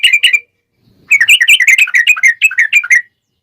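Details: Energetic yellow-vented bulbul song meant as a lure to prompt other bulbuls to answer: a few quick notes, a short pause, then a fast run of bubbly, slightly warbling notes rising and falling.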